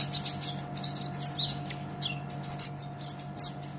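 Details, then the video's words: Olive-backed sunbird (Kolibri Ninja) in full 'gacor' song, a master for training songbirds: continuous rapid, high, squeaky chirps and short whistles for nearly four seconds, with a low electrical hum behind. "Suara Kolibri Ninja KONIN GACOR Untuk Masteran Kicau ! Konin Ijoan Gacor"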